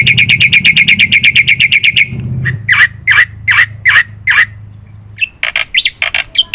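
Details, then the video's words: Energetic black-winged myna song used as a lure and training master to make other birds call: a fast string of rasping, evenly repeated notes, then slower harsh squawks and a few sharp high whistles, over a low hum. "suara top jalak putih gacor - sekali putar bikin bunyi semua burung - masteran - pancingan"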